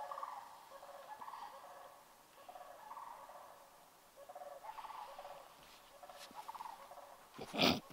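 Trumpeter swans give distant, nasal, horn-like honks in short bursts of two or three, about every second. A sharp knock sounds at the end.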